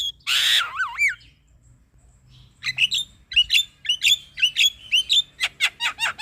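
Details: Male black-winged myna song meant to rouse a quiet bird: a harsh screech, wavering whistles, a pause, then a quick series of upslurred chirps and sharp ticking notes, about two per second.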